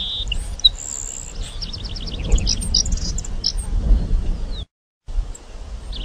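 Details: Grassland sparrow (Ammodramus humeralis) song: high, thin notes running into a quick, buzzy trill, over a steady low wind-like rumble.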